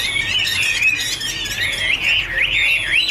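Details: Chinese hwamei singing in a duet while dancing, with continuous rich warbling of looping, rising and falling whistled notes, unbroken over a low background hum.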